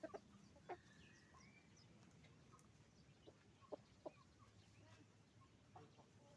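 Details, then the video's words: Roosters and hens on a chicken farm making noise: scattered short, sharp clucks at irregular intervals, some in quick pairs, over a steady low hum. "Moment of the sound of a chicken farm, roosters and hens making noise"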